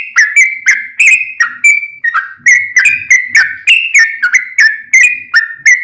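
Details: Yellow-vented bulbul singing a lively 'gacor' song used as a lure for other bulbuls: an unbroken string of clear whistled notes, each with a sharp onset and slightly wavering pitch, about three per second.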